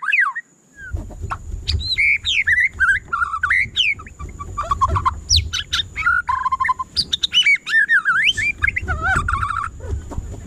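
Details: White-rumped shama (murai batu) in full song, kept as a cage bird: a fast, varied stream of whistles, swoops, trills and harsh notes with low rumbling background noise throughout.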